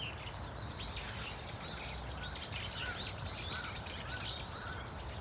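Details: Brown-eared Bulbuls calling together in a flock at Dunsan Grand Park: clustered arching squeaks and rising-falling chirps overlap, over a constant low hum of environmental noise.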